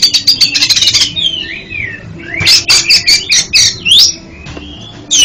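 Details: Oriental magpie-robin singing as therapy for a stuttering pet bird: a rapid chattering series, then falling whistled slurs and a run of evenly spaced sharp notes.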